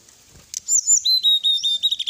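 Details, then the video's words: Brown-chested jungle flycatcher song to provoke rivals: after a brief rustle, a loud, high whistled phrase of repeated pure notes, several ringing at one pitch, delivered briskly. "suara pancingan srdc agar lawan cepat emosi gacor"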